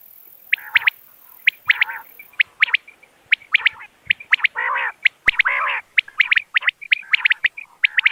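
Common quail calling: sharp, liquid notes in quick groups of three, repeated about once a second, mixed with rougher, buzzy chattering bursts.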